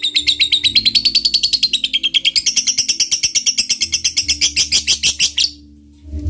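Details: Lovebird fighter singing a long ngekek, used as a lure to provoke a rival: a fast, even train of sharp, high chattering notes, rising in pitch midway, sustained for over five seconds before stopping abruptly.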